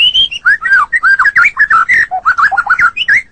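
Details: White-rumped shama song meant to train caged songbirds: rich, fluty whistled phrases that swoop up and down in rapid succession, clear and continuous over a quiet background.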